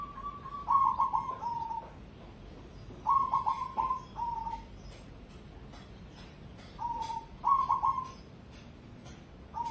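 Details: Competition-grade cemani zebra dove singing: three loud cooing phrases, each a quick stuttering burst of low whistled notes followed by a short drawn-out coo, spaced about three seconds apart over a steady background hiss with faint clicks.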